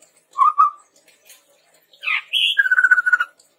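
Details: Chestnut-rumped babbler song used as a lure for training birds: two short whistled notes, then a pause, then a burst of higher, harsher notes and a fast whistled trill of about ten pulses.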